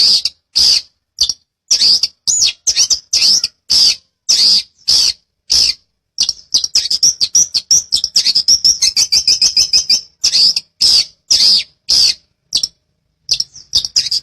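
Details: Master recording of a long-tailed shrike singing fast gacor rolls: loud, crisp high chips repeated roughly every half second, a middle stretch of rapid trilled stutter, then spaced chips resume toward the end.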